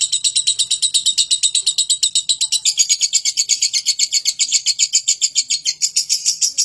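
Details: Lovebird singing to prompt nearby birds to join in: fast, scratchy, buzzing chatter of even pulses running nonstop throughout, slightly shifting in pitch partway through.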